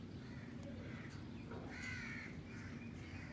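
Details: Pet Alexandrine and rose-ringed parakeets feeding outdoors under the sky: one short, harsh squawk near the middle, preceded by fainter scratchy notes, set against constant low background noise.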